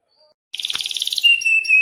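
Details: Caged canary singing vigorously in a long-rolling style: after a brief quiet start, a fast buzzy trill rolls on, then breaks into a thin, high, steady whistled note.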